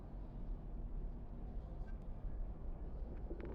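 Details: Steady low engine-like rumble fills the recording, with a few faint clicks and no animal voice.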